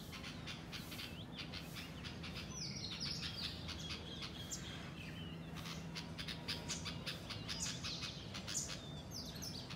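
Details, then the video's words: Wild house sparrows flocking in a garden give a steady stream of sharp, overlapping chirps, with occasional thin sliding notes, over constant low ambient noise. "Chirping Sparrows"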